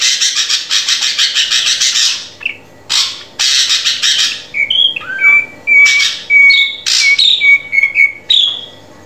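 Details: Drongo song used to train a captive bird to sing: long bouts of harsh rasping bursts alternate with short whistled notes and upslurred squeaks.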